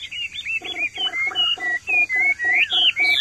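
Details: A Hwamei kept in a courtyard sings excitedly after hearing other birds call: loud, varied, high whistled phrases that slur and rise without pause, over a steady low pulsing of about four beats a second.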